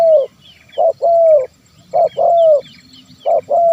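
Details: Zebra dove call used to draw wild birds into song: brief coo then a longer sustained falling note, the pairing repeated three times, faint small-bird chirps in the background.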